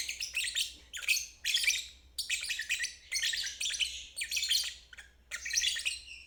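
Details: Ngeriwik song of a lovebird, used to coax stalled adults and young birds into singing. Scratchy, high-pitched chatter comes in about seven rapid bursts, each under a second, with short gaps between them.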